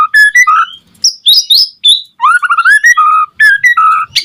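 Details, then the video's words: White-rumped shama song intended to trigger other shamas to sing: clear, varied whistled notes at mixed pitches, stepped phrases, and warbled runs, ending with a sharp high note. "Suara Murai Batu Gacor Auto RESPON seketika NYAUT Burung Murai cepat Bunyi buat Pancingan agar Gacor"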